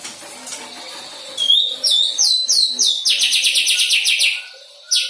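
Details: White-rumped shama, a recently fledged young bird learning to deliver song material, gives a thin whistle, then a fast, steady series of bright repeated high chirps, and finishes with a lone sharp note.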